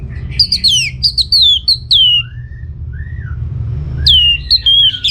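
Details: Orange-headed thrush (Geokichla citrina), likely a kept bird, in rich, varied song of fast whistled phrases, slurred downward sweeps and high chirps, with brief pauses between bursts; low hum underneath.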